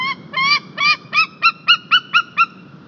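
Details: Male White-tailed Eagle in Estonia, 21 March 2021, recorded by a live nest camera, calling the female to come and take the fish he brought for breakfast: nine loud yelping notes that grow shorter and quicker, ringing with rich harmonics.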